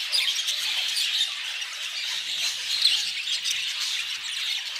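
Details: Budgerigars giving a continuous, smeared high twittering, many soft chirps and squeaks blending into one steady buzzing chatter with occasional brighter peeps.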